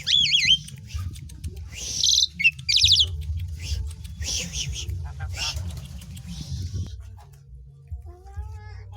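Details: Asian pied starling song used as a lure to get other birds singing: loud wavering whistles and harsh buzzy bursts early, then quieter scattered notes over steady low hum.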